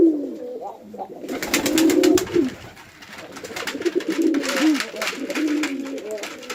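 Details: Male and female pigeons fighting on a pigeon farm in a village in Chittagong District, Bangladesh: low rolling coos rise and fall in bursts, broken by loud sharp clattering and flapping noises through the middle of the recording.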